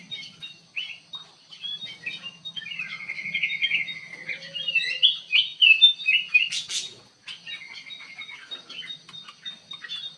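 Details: Kutilang emas, the golden bulbul, kept in an aviary, delivering a long, lively chattering song of quick slurred whistles and trills, with a brief harsh burst near the middle.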